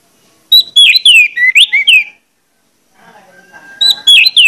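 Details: Orange-headed thrush loud, persistent lure song to stimulate other orange-headed thrushes into singing: a rapid phrase of sweeping, slurred whistles and trills, a pause with soft background sound, then another phrase starting.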